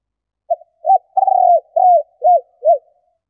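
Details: A female spotted dove calls to stimulate males. A soft hooting phrase: a short lead-in coo, a longer rolling, slightly falling note, then three evenly spaced arched coos. The setting is quiet.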